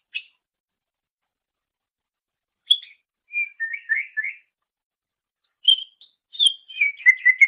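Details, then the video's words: Greater green leafbird song from a master recording for training songbirds: short clear whistled phrases and chirps separated by silent gaps, ending in a run of quick descending whistled notes; no background noise. "Masteran Suara Cucak Ijo"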